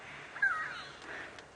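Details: At sunset on a 27 September 2016 safari drive, unseen go-away-birds give a harsh, nasal, drawn-out downslurred 'go-waay' alarm call, used against threats like leopards and birds of prey, over low outdoor hiss.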